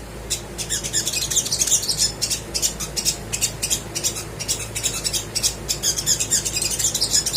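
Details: Little spiderhunter singing hard, used to stir quiet birds into song: rapid, clicking, high-pitched chirps in quick bursts, steady and busy throughout, with faint low hum behind.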